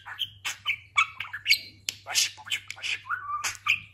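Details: Indoor talking budgerigar, fat after a fresh moult, pours out rapid rasping chatter mixed with chirps and short whistled notes, one falling whistle near the end.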